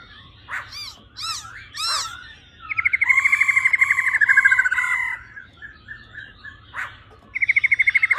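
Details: Rolling 'ro ro' rattle of a female laughingthrush, used to rouse males fast. Three upward-sweeping squeaky notes open, then a long, steady, rapid churring rattle runs, and a second rattle starts near the end.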